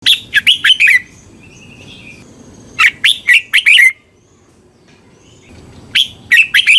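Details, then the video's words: A Red-whiskered bulbul sings three short phrases of bright, bubbly whistled notes, about one every three seconds, over a quiet background; the recording is meant for training caged bulbuls or getting them excited. "เสียงนกกรงหัวจุก สำหรับต่อ หรือ เปิดให้นกคึก เสียงเพราะๆ"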